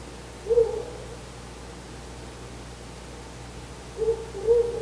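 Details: Before dawn on 4 August 2020, a male Ural owl visiting the nest hoots by the window: one low, hollow note, a pause of about three seconds, then two more hoots close together, over a faint steady hum.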